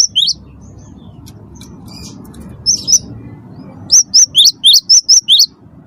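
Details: Chatty wingko cinereous tit singing to prompt other birds: a few scattered high notes early, then a quick run of eight sharp whistled notes near the end, level and dipping notes alternating, with a steady low hum beneath.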